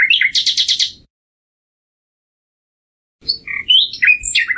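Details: Common nightingale: a short burst of buzzy, rapid notes, a two-second silence, then a varied string of whistles and slurred chirps at differing pitches.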